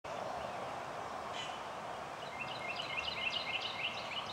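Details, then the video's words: Male indigo bunting by a woodland track at Cape May meadows, New Jersey, USA, singing a quick run of high, sharp chirped notes in the second half, over a steady broad background hiss. "Indigo Bunting"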